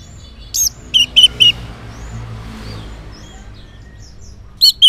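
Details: Orange-headed thrush morning song, used to draw answers from silent males: a handful of short, bright, high whistled notes in quick groups, a silent pause, then two more loud notes.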